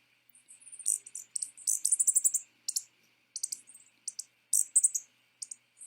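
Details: A hummingbird at a feeder, not a ruby-throated, makes a chirping noise while feeding: very high, thin chips in quick bursts, some in rapid runs of four or five notes, over a faint steady hum.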